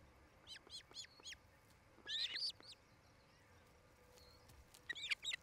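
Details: Osprey at a nest near Charlo, Montana, picked up by a nest camera on 8 July 2018 in late afternoon; a few sharp, high whistled chirps arrive in small clusters, with one louder burst near the middle, over faint background hiss.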